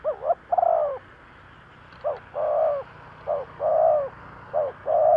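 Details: Decoy spotted dove giving 'thúc gù' cooing to lure wild doves: low, hollow phrases of quick short coos followed by a longer drawn-out coo, repeated roughly every two seconds over steady background hiss.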